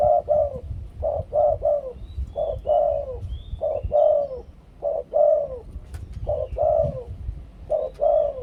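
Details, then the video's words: Thai spotted dove delivering its two-kuk 'khu-ang' cooing song, a decoy-style bird: soft, mellow coos grouped in pairs and triplets, steady through the clip, over a low background rumble. "นกเขาใหญ่ 2 กุก คูอ่าง เสียงต่อชัดๆ"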